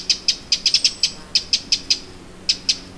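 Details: Eurasian wren alarm notes, Lake Vänern shore in Sweden, late July 2017: separate sharp clicks, some paired, spaced irregularly, then a pause and two final ticks; low steady hum beneath.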